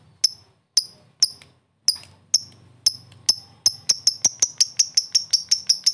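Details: Fighter lovebird giving a lure sound meant to get other lovebirds singing quickly, in the ticking style called ngetik: sharp, very high clicks, spaced at first, then speeding into a rapid, even series.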